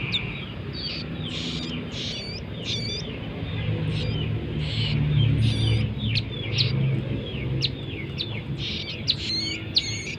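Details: Bar-winged prinia chicks begging: rapid, thin, high squeaky chirps repeated several times a second, over a constant low rumbling background noise.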